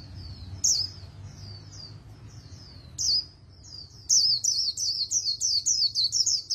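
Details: Oriental white-eye singing a very fast 'líu đấu' competition song, used for voice training and stimulation, in a magpie-robin style; high thin chirps, soft at first, then bursts of rapid sharp notes repeated about once a second.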